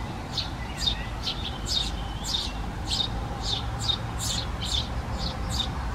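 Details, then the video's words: Eurasian tree sparrow (Passer montanus) nestlings give a rapid run of high, thin chirps, several each second, over a steady low rumble. "Vrabec polní (Passer montanus)"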